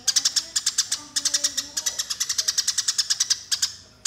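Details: Fighting Eurasian tree sparrow calls, used to train other birds: dense bursts of shrill, clipped chirps repeated rapidly, with brief gaps between runs and faint low tones underneath.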